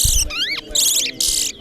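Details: Competition song of a towa towa (large-billed seed finch) at Corriverton: short clear whistles, a rising then falling slurred note, and two buzzy high bursts, with faint background voices.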